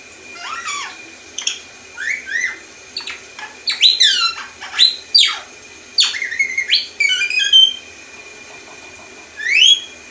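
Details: A male pet lorikeet imitating R2-D2 from Star Wars indoors: loud electronic-sounding whistles, steep upward and downward sweeps and chirpy warbles in short bursts, pausing before a final rising whistle.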